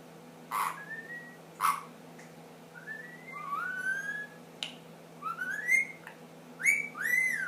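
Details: Ten-month-old pet ring-necked parakeet indoors, starting to whistle the Addams Family song among other funny noises. Clear whistled notes slide and rise in short phrases, separated by sharp click-like snaps and brief pauses.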